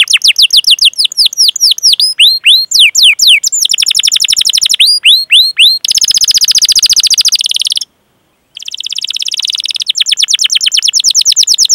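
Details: Canary rolling song recorded as master training material: falling chirps and sweeps, then very fast buzzy trills in several tours, broken by a short silence before the dense trill resumes.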